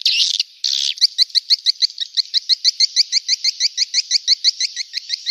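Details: Luring sound for swiftlets: opens with two short buzzy squawks, then a brisk run of evenly spaced high clicking twitters about three per second.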